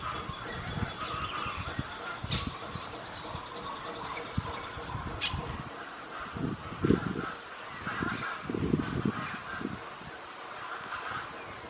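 Toco toucan giving deep, hoarse croaking grunts in short bursts, several close together in the second half, over a steady background hiss.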